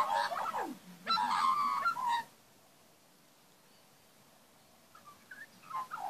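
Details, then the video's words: Backyard magpies feeding young and singing. A loud, rich warbling phrase of mixed whistles lasts about two seconds, followed by near silence and a few soft notes near the end. "magpie young backyard feeding n singing"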